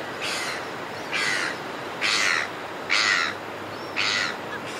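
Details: Red-billed gulls calling in flight over a cliff top: five harsh, broad squawks spaced about one second apart, each rising in loudness, over steady background hiss.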